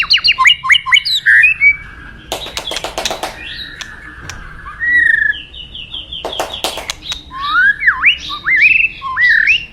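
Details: Varied song of a forest white-rumped shama above a rushing river: quick stuttering whistled notes, bursts of harsh rattling clicks, a smooth whistle, then a lively run of sweeping, looping phrases at the end.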